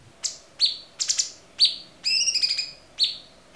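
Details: Cucak cungkok with a clear voice, recorded as a tutor for songbirds. Quick series of sharp chirps and short trilled notes, about seven bursts in under four seconds, with one longer rattling phrase in the middle.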